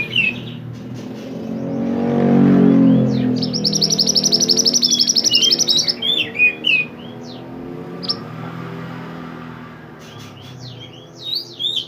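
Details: Pied bushchat in lively full song, recorded for training other songbirds: a rapid buzzy trill with high whistled notes and sharp chirps, over a loud low rumble of passing traffic.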